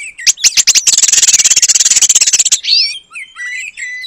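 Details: Oriental magpie-robin singing Asian paradise flycatcher imitations as training material. A few sharp ticks lead into a long harsh buzzing rattle of nearly two seconds, followed by short high slurred whistles.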